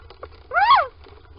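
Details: Little owl at a nest box in Sprundel, Netherlands, on a February 2020 morning, as both owls go inside with peeping and calling: one clear arched mewing note, rising then falling, with a short faint note before it, over low background rumble.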